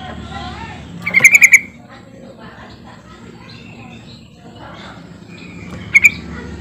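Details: Sooty-headed bulbul luring call to make silent birds sing along: a burst of five rapid ringing notes, a long pause with soft background chatter, then a brief two-note burst.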